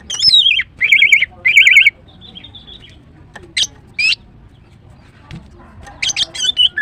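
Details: Morning song of a female greater green leafbird: loud trilled, rapidly wavering whistles in two long bursts, then brief sharp chirps after a quiet gap, and a final cluster of high notes.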